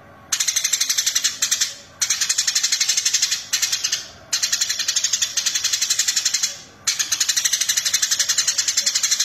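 Eurasian tree sparrow chirping in rapid, harsh, high bursts of about four notes a second, broken by short pauses; no other sounds stand out.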